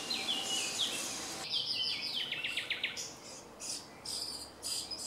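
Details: Common starling singing in a small grove by Jarun, Zagreb, Croatia, late April to early May 2017: varied high whistles and slurred notes, then a quick series of clicking ticks and buzzy bursts, over steady background hiss.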